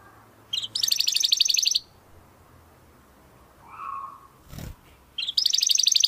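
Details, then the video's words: Domestic canary used as a tutor for competition birds gives two brief dense high trilled bursts, separated by a quiet stretch with hiss, a faint low whistle and a short thump. "Kenari Gacor Suara Kristal Buat Masteran Burung Gantangan"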